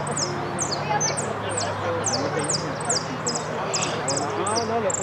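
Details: European goldfinch entered in a singing competition at Merlo on 6 November 2022, in the category 'amarillo sin cierre'. It gives high, sharp, downward-sliding notes repeated about twice a second over crowd murmur and a low steady hum.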